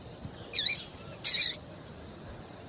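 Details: Female papa-capim seedeater calling to excite and attract males, used to warm up singing males for song tournaments; two short, high, chirpy notes about half a second apart, over faint background hiss.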